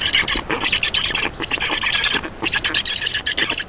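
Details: Black stork young at an Estonian nest begging during a feeding, 2 June 2019, 15:43; loud, raspy squawking bursts of fast pulses, with a short dip near the middle.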